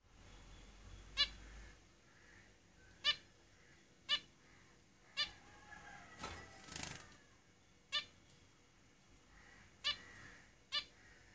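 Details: Caged zebra finches calling: short nasal, harmonic beeps repeated roughly every one to two seconds over about eleven seconds, with a softer rasping burst near the middle and quiet room background.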